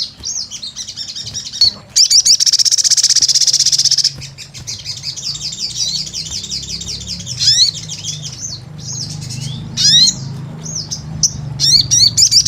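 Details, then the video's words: Crimson sunbird, called sogon, in energetic gacor form: high, thin sharp chirps and a dense buzzy trill around two to four seconds, then scattered up-slurred notes and quick chattering bursts; faint low hum underneath. "Pancingan SOGON GACOR"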